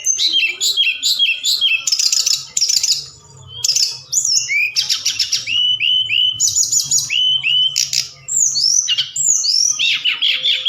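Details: At night, a forktail gives a lure song meant to excite other birds into replying: dense bursts of buzzy high notes alternate with clear, downward-curving whistles, with a brief pause near the middle.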